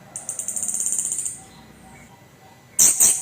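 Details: Orange-headed thrush, a kept songbird, singing a harsh rousing phrase meant to stir other birds: a fast series of high, evenly spaced ticking notes, a pause, then a sudden loud scratchy burst.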